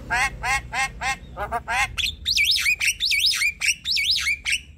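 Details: Javan myna song meant to rouse a lazy, quiet bird: a series of harsh grating chatters, then three looping whistled phrases that rise and fall, broken by sharp clicks.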